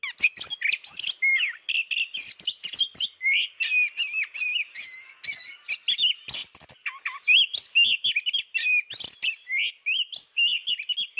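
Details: Unseen Oriental magpie-robin in full, nonstop song: a dense, varied stream of sweet whistles, slurred rising and falling notes, and scratchy chips, delivered rapidly with hardly a pause.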